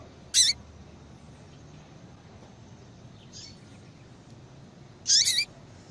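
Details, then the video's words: Female yellow-bellied seedeater calling to bring a male into breeding condition: two loud, harsh, buzzy high call notes about five seconds apart, with a fainter note between them, over a steady low background hiss. "fêmea de coleiro baiano chamando Muito Para Esquentar coleiro baiano"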